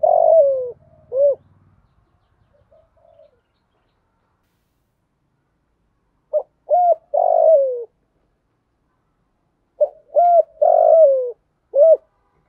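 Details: Female spotted dove decoy cooing to attract males, voice style 'thổ pha' with a single end note. Three phrases spaced several seconds apart, each of short hoots around a long sliding coo, with a low buzz only at the start.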